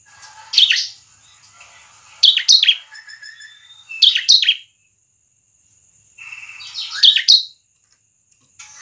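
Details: Bar-winged prinia singing in the lively 'semi crystal' style, used to prompt other prinias into song: four bursts of sharp, high, downward-sweeping chirps in quick clusters, separated by pauses, over a faint steady high whine.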